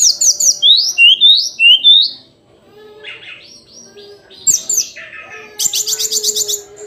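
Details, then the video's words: Hill blue flycatcher (tledekan gunung) singing: a run of rising whistled slurs, then quieter twittering and a fast, buzzy high trill at the end. "Kicauan harian Tledekan gunung"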